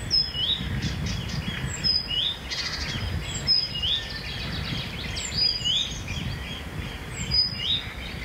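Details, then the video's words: Blyth's reed warbler in a town near a busy railway, digiscope recording: short whistled phrases repeated roughly every second and a half, mixed with buzzy notes, over a noticeable low rumbling background. "Blyth's Reed Warbler"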